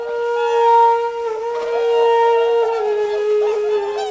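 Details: Whooper swans on a misty, icy Lake Kussharo, Hokkaido, Japan, trumpet in long, mellow, horn-like notes, several birds overlapping in a steady bugling chorus with no other sounds standing out.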